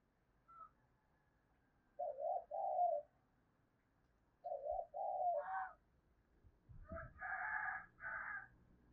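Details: Spotted dove lure cooing to prompt answers from other doves: two low, husky double-coo phrases a couple of seconds apart, followed by a rooster crowing loudly nearby.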